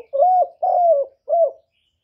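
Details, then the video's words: Spotted dove calling with three rich, low coos. Two are drawn out and slightly arched, and a shorter third coo follows after a pause. The dove is loud and near, and no other sounds are heard. "សំឡេងលលកូក2.ឮច្បាស់ល្អ.2023, TERKUKUR, chim cu đất, tiếng chim cu thái, cu cườm gáy gọi"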